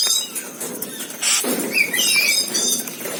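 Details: Asian glossy starling (perling kumbang) in lively full song: bursts of high buzzy chatter mixed with short sharp whistled slurs, some rising and falling, repeated in quick succession over a soft noisy background.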